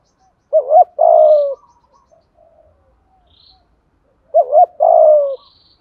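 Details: Spotted dove singing a full song in the 'giọng thổ' voice style with 'thúc gù' cooing: two low hooting phrases, a short looped coo then a long, slightly falling one, repeated after a pause of about three seconds.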